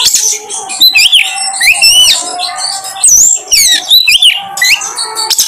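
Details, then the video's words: An Oriental magpie-robin, used as a lure song to provoke other magpie-robins into singing, sings a rich, varied run of clear whistles, rising slurs and quick chattering notes, phrases tumbling one after another with barely a pause. "pancingan KACER paling ampuh bongkar materi"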